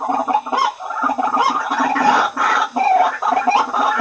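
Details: Lure recording of White-breasted waterhen for drawing in waterhens: loud, rasping, nasal calls in quick overlapping bursts, with brief dips between phrases.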